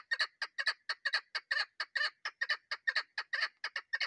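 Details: Chukar partridge female giving a call that hunters use for luring: hoarse chattering notes in ones and pairs, delivered rapidly and evenly, a little over two per second.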